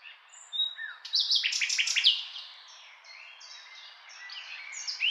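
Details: Common nightingale singing a varied song: a thin high whistle, then a loud burst of fast sweeping notes, followed by softer scattered twittering and clear whistled phrases toward the end. No other sounds stand out.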